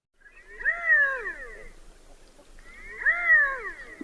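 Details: Redhead; courtship call; courtship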